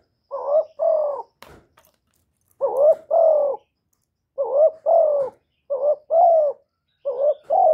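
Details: Caged spotted dove giving its calling and cooing series with no other noise: five paired coos, a clipped lead note then a fuller, throaty, slightly falling second note, repeated at uneven intervals of roughly one to two seconds, with a faint click early on.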